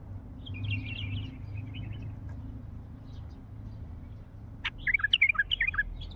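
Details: Calls of a wild bulbul of the Mandali type: a soft warbled phrase at the start, a pause, then a lively burst of loud, looping whistled notes repeated rapidly, with low rumbling noise underneath.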